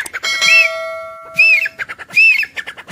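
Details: Grey francolin calling: high arched whistled notes, each led by a burst of sharp clicky notes, repeated about every second. Steady ringing tones, like a bell, run under the first half.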